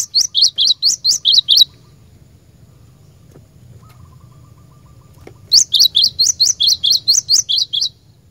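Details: Cinereous tit giving a lure song for training caged birds. Two bouts of rapid, high, piercing repeated notes, about two per second, are separated by a quiet gap with a soft low hum and a faint tone.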